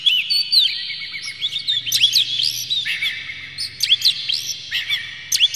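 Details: Oriental magpie-robin singing to incite other magpie-robins: sweeping whistled notes and steep downward slurs in repeated phrases, each burst roughly a second long, over a faint low drone.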